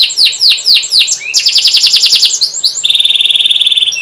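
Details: Canary lure song for birds that have stopped singing: four downward-swooping whistles, then a fast rattling trill, ending in a steady, very rapid high trill.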